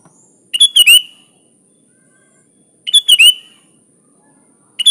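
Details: Prolific 'gacor full isian' song of a sooty-headed bulbul, used as a training master: two lively chirping phrases of several quick notes about 2.3 seconds apart, a third beginning at the end, with a thin steady whine underneath.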